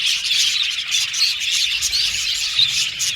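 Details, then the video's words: Short burst of budgerigar contact chirping, used to seek companionship; dense high twitters with a few sharper whistled chirps standing out. "Happy Budgies Chirping Sound | Budgies Sound For Lonely Budgies Birds"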